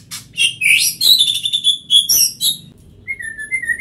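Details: White-rumped shama in fast, dense song: tumbling high whistles, trills and sharp chips run together, ending in a long, level, slightly wavering whistle.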